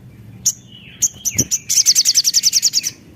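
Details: Javan tesia in active song, used as a lure recording to stimulate other birds: a few sharp high notes and a falling whistle lead into a fast, even trill of about a dozen ringing notes.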